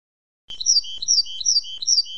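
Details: Singing tit in a training recording for goldfinches, giving a steady run of high ringing two-note phrases, a bright upper note then a lower sustained one, repeated about every third of a second.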